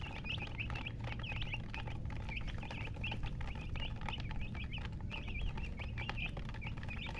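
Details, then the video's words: Chirping from colour chickens (murgi): bright, brief peeps come in loose clusters with small gaps between bursts, backed by a constant low droning noise. "silly chicken chirping sounds with murgi hen color chicken"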